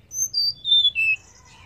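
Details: Female banded pitta, calling to stir males: four pure whistled notes descending in steps, followed by a softer, rougher trailing sound, in a quiet setting.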